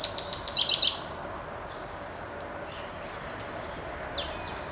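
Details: Common chaffinch song recorded in 2013: a quick run of bright, high notes falling over about a second. Steady background hiss follows, with faint distant chirps, possibly a robin, chiffchaff and blackbird.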